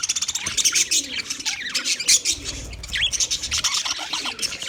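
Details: Rapid high chirping from a group of budgies comes in quick pulsing bursts, some notes sliding down in pitch, over a faint low murmur.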